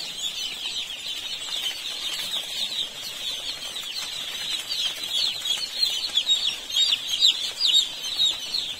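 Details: Crowd of baby chicks on an Indian poultry farm, peeping continuously in high, thin, rapidly repeated notes that swell louder toward the end, with faint rustling beneath.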